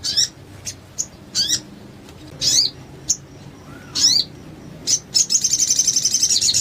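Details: Crested jay song used as a master recording to get other crested jays singing: sharp, high chipped notes with quick downslurs at irregular gaps, ending in a fast buzzy rattling trill.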